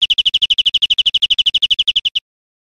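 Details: A greenfinch in Spain, recorded in 2013, gives a crisp trill of about ten high chirps per second for two seconds, then falls silent.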